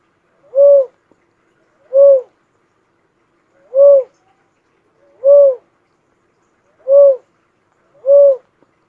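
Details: Philippine cuckoo-dove (Macropygia tenuirostris) gives six mellow, hollow hooting notes, each slightly arched in pitch, spaced about every one and a half seconds, with no other sounds.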